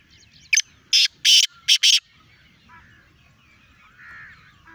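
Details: Black francolin in Sindh, Pakistan: a loud, harsh, grating burst of five rasping notes packed into about one and a half seconds, followed by quieter distant calling and a faint rural background.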